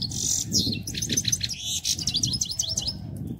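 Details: European goldfinch twittering in quick, high, jingling notes over a steady low rumble of background noise.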